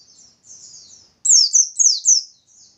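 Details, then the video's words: Vigorous song of a Bustomi white-eye, played to coax other white-eyes into singing. Faint high warbling leads into four loud, sharply down-slurred whistles in quick succession, very high-pitched. "Burung Pleci Bustomi Gacor || Pancingan Pleci Biar Cepat Nembak"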